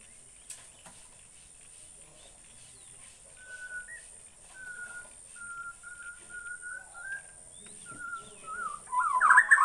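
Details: Bornean white-rumped shama giving a slow string of short, flat, clear whistled notes at an even pitch, building toward a louder, richer burst of song at the end.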